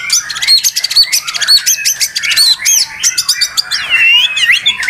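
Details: Agitated white-rumped shama singing without pause after a silent spell: dense, very high, rapid song of sharp chips, buzzy bursts and looping whistled slurs, loud and continuous throughout.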